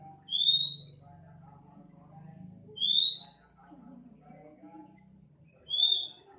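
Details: Oriental magpie-robin, a 'bahan' bird now singing diligently, giving three bright rising whistled notes about two and a half seconds apart in 'nembak' style over a faint low hum.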